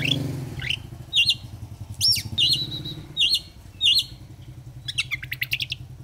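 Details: Oriental magpie-robin lure song meant to make a bird fan its tail: bright, high whistled phrases repeated about every second, mixed with sharp chirps and a rapid chattering burst near the end, over a low idling engine rumble.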